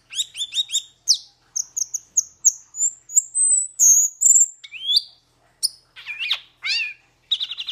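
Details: Metallic starling song: a rapid burst of paired chirps opens into a series of thin, high whistled notes slowly rising in pitch, then harsher twisting notes, a buzzy rattle and closing chirps.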